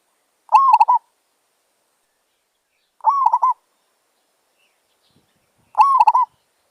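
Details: Wild zebra dove (merbok) calling during decoy luring: three evenly spaced phrases about two and a half seconds apart, each opening with a rising coo and ending in a quick run of clipped, bubbling notes; nothing else audible.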